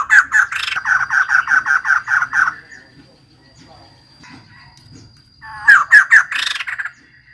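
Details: Female white-crested laughingthrush singing a steady series of about a dozen loud, ringing notes, roughly five per second, followed by quiet scratchy sounds and then a brief burst of harsher squawking notes. A thin steady whine runs through it.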